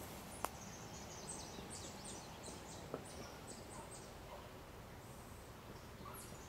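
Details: An immature barn swallow at River Bend Nature Center, Racine, Wisconsin, on 29 June 2012 gives thin, high chirps in a loose, irregular series, about one every two seconds, over steady outdoor background noise with two sharp clicks.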